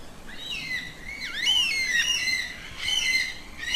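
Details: Yellow-tailed black cockatoo producing plaintive, whistled wails. Notes arch up then glide down in long harmonic sweeps, with two main phrases about a second and a half apart.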